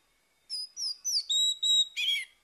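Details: Orange-headed thrush morning song meant to coax a silent bird into singing again: a run of six clear, high whistled notes, shifting and sliding in pitch, ending in a harsher buzzy burst.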